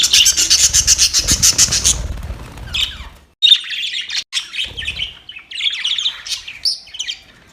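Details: Budgerigars fighting, recorded October 25, 2023: a dense burst of rapid, buzzy high chatter for two seconds, then scattered sharp chirps and warbling trills after a short pause.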